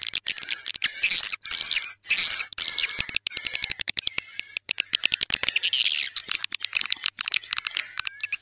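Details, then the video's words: Tarik senja calling sound for edible-nest swiftlets at dusk: fast staccato twitters and buzzy chirps in clusters about every half second, over two steady high electronic-sounding tones. "SUARA WALET TARIK SENJA"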